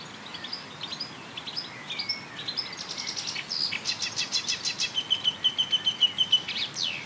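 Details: Marsh warbler singing on a railway embankment at Bernau-Friedenstal in May 2013, borrowing phrases from tit, blackbird, lark, goldfinch and starling; soft varied notes building into a fast, evenly repeated high chatter with a thin whistle.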